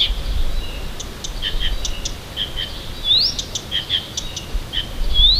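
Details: Bird in song near Tomsk in the morning: scattered short chirps and notes punctuated by two sweeping upward whistles, fairly soft over a faint low hum.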